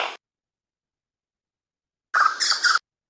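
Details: An ani gives its alarm call, made when hawks fly over: a short burst of usually about three harsh, rough, grating pulses after a brief clipped note, with nothing else heard.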